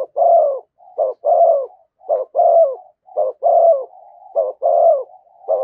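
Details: Spotted dove calling in the 'thúc gù' cooing style near a decoy bird, delivering loud, steady phrases of clipped double coos followed by a drawn, falling coo, repeated almost every second with faint murmurs linking them.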